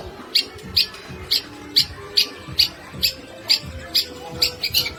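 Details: Long-tailed shrike singing a run of evenly spaced, sharp high notes, roughly two per second, over dense, busy background noise.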